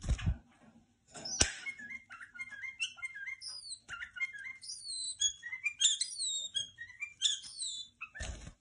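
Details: Pet white-eared bulbul, tame, giving a varied string of clear whistled notes, many sliding downward, in lively uneven phrases, with a few soft thumps and handling noises.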